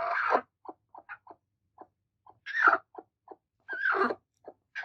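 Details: Two angry broody hens attacking: short soft clucks spaced irregularly, broken by louder harsh, raspy squawking bursts.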